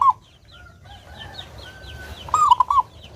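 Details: Local zebra dove, a clear-voiced lure singer for other doves: a thin series of high twittering notes from other birds, then one full bubbling cooing phrase near the end.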